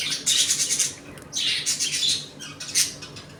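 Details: Budgerigars of a home colony eating, playing and fighting; loud, harsh, fast-pulsed warbling chatter in three long bursts, grainy and buzzy, with brief pauses between them and a faint hum beneath.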